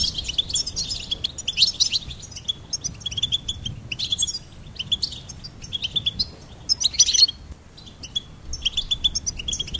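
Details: Bright goldfinch song made of repeated bursts of quick, high twitters and trills, with short silences between phrases.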